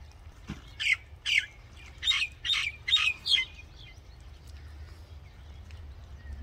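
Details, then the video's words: Common myna song made of six loud, rasping chirps in an uneven run over about three seconds, some with a sharp whistled edge, followed by quieter faint notes and a low steady rumble. "Common Myna Bird Song | Common Myna Sound | Common Myna Call | Indian Mynah Sound | Myna Singing"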